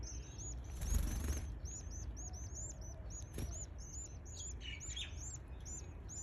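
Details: Day-11 canary chicks in a feeding frenzy: rapid, overlapping high-pitched arched peeps repeated nonstop, with a loud rustle of wings or stretching near the start and a dull knock midway, steady background hum.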